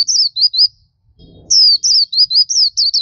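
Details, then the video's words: Black-capped white-eye singing continuously in a tutoring-style recording: high, thin whistled notes, each sliding downward, in quick chattering runs, broken by a short pause with a low rustle before the run resumes. "Masteran suara burung Pleci Topi Hitam/Dahi Hitam gacor"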